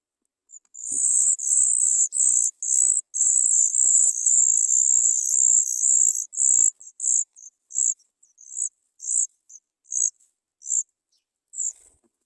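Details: Three Sooty Chat nestlings begging for food: loud, nearly continuous shrill high-pitched squealing for several seconds, then breaking into separate short squeaks repeated about twice per second, slowing and fading toward the end.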